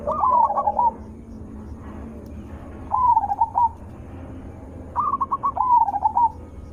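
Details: Melodious, loud zebra dove lure song to prompt other zebra doves into answering: three phrases of quick clipped notes flowing into a wavering trill, with a lower overlapping coo in the first phrase.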